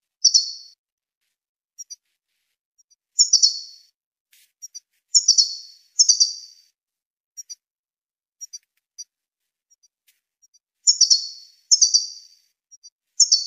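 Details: High, thin twittering bursts from a Tunisian European goldfinch, repeated every second or so with tiny clicks between, in an otherwise quiet setting.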